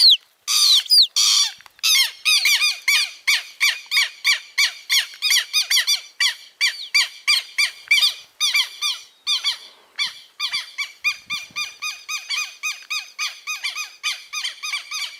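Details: Southern lapwing chicks just hatched and already noisy; a rapid, steady series of short buzzy peeps, about one and a half per second, some overlapping early on, continuing without pause.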